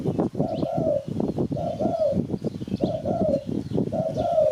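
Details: Spotted dove, call used to lure birds for catching: four pairs of mellow coos spaced about a second apart, the second of each pair drawn out, amid constant crackling background noise.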